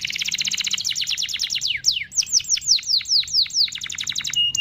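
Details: Canary rolling song used as a lure to start other canaries singing: a rapid high trill slowing into a series of falling, downslurred whistled notes, ending on a steady tone.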